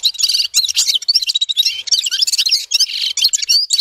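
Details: Quick, tinkling red-fronted serin song packed with high buzzy trills and sharp chirps, delivered without pause.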